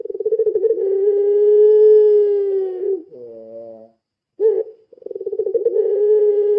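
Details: Spotted dove, puter pelung type, giving a lure call: a long, deep, steady coo held for about three seconds. It opens with a rapid rolling flutter, breaks into a lower purring section and a pause, then returns with another rolling coo.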